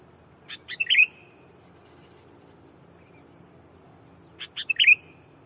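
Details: Sooty-headed bulbul used as a decoy, calling a rival to lure wild bulbuls. Two short bursts about four seconds apart, each a few quick clicky notes leading into a bright liquid chirp, with a steady high electronic hum throughout.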